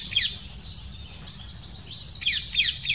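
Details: Female black kite arriving at the nest with small prey and feeding her chicks, with thin, high, quavering calls sliding downward in quick clustered bursts, about three per second, over a low rural hum.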